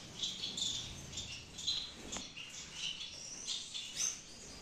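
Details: Caged Gouldian finches in a Peshawar breeding aviary utter scattered high, thin chirps and short whistled tweets, several birds calling loosely together, with a single sharp click midway.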